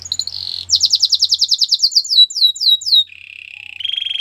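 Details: Belgian canary training song: a high whistled note leads into a fast run of bright descending sweeps that gradually slow, then a low buzzy rattle and a higher rolling trill close the phrase.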